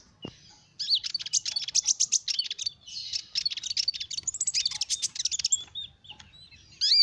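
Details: Sunbird song used as a lure for small birds: a fast, high twittering of thin, sharp chirps for about five seconds, ending with a few sweet rising whistles.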